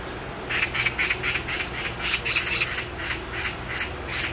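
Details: From a tree branch, a black magpie delivers a steady series of about fourteen raspy screams in quick rhythm.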